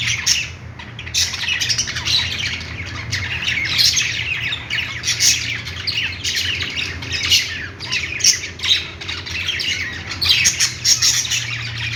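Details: Budgies playing, a flock chattering nonstop with dense, scratchy chirps and squawks bunched in bursts, under a low steady hum.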